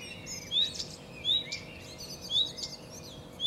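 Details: Common redstart song: short bright whistled notes near a high pitch, each followed by a quick buzzy flourish, repeated about once per second, with a steady low hum underneath.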